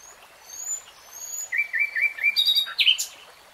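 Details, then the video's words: Common nightingale singing: faint high whistles, then a row of short looping notes, followed by louder harsh chirps and a sharp, bright flourish. "NIGHTINGALE SONG"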